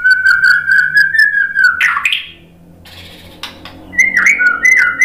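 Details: White-rumped shama singing to provoke rival birds into song: a long wavering whistle, a burst of harsh notes, a short pause, then bright clipped whistles.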